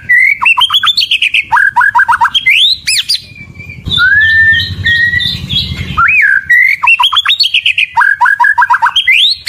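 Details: White-rumped shama song: bright rising whistles and rapid rattling runs of falling notes, a brief pause, then a smooth upward-sliding whistle before the run pattern repeats, with a low hum beneath.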